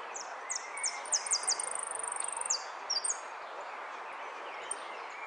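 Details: Contest jilguero finch, third place at Zona Norte on 01 11 15, singing amarillo sin cierre: bursts of very high, falling slurred notes, rapid trills then pauses, with constant hiss and faint lower whistles behind.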